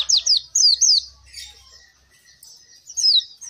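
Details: Oriental white-eye song, used as a prompt for reluctant caged singers: high downward-slurred chirps in quick pairs, then soft twittering and another pair at the end.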